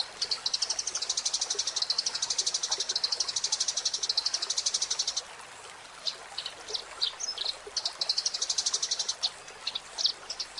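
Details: Eurasian tree sparrow song, a tutor recording for training cage birds: long runs of high, dry chattering notes about four per second, with pauses and scattered chirps, over a soft trickling background.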